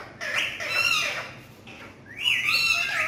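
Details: Talking parrots chattering in raspy, speech-like phrases, a long warbling run in the first second, a pause, then a bright rising squawk with buzzy harmonics.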